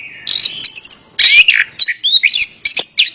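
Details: Orange-headed thrush song aimed at a silent pet bird: a sustained buzzy note followed by quick chips, a rich warbled burst and several high slurred whistles.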